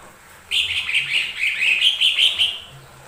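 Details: Lesser green leafbird song used as a lure: a continuous warbling phrase of quick slurred whistled notes lasting about two seconds, loud and steady throughout.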